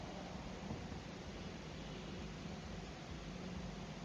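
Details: Broad rumbling noise like wind on a microphone, with no animal voice.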